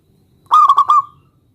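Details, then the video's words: Single stuttered phrase from a local zebra dove calling a rival to answer: four quick rolled notes blending into a smooth falling coo, clear against silence. "perkutut lokal gacor MEMANGGIL LAWAN ini ampuh MEMBUAT agar burung perkutut gacor NYAUT SEKETIKA"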